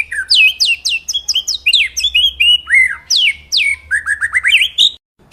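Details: White-rumped shama song used as master audio to train birds. Rich, varied phrases mix sharp downslurred whistles with chattering notes, delivered continuously for about five seconds before a brief silence.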